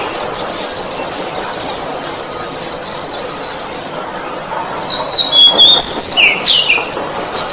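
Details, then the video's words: Oriental magpie-robin song used to train other birds: about three seconds of fast, buzzy, high pulsed notes, then a pause and a burst of clear whistles with sharp falling slurs. "Suara burung kacer gacor masteran || suara kicauan terbaik - kacer masteran"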